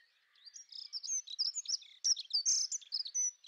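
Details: Dunnock, Prunella modularis, delivering a rapid, scratchy, high-pitched warble of tumbling notes with brief gaps, lasting about three seconds.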